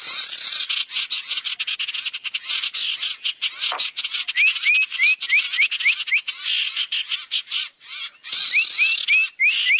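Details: Harsh, breathy screeches of barn owls, played as a lure to gather owls, pour out in dense, choppy pulses, with two short runs of small rising whistles near the end.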